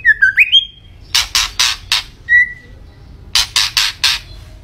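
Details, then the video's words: White-rumped shama in full, lively song: opening run of short whistled notes sliding up, then loud harsh rasping bursts in two clusters separated by one thin, level whistle. "Kicau Burung Murai Batu Gacor"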